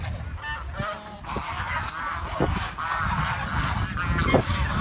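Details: Swans in a village give a run of nasal honks and short chirping notes, some rising, repeated unevenly about twice a second over low background rumble.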